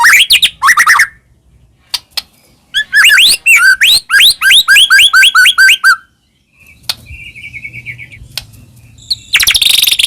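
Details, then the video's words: White-rumped shama song used to lure caged birds into singing: harsh opening notes, then a long fast series of rising whistled slurs, a quiet gap with a soft trill, and a loud closing burst. "murai batu gacor AMPUH buat PANCINGAN murai batu agar bunyi"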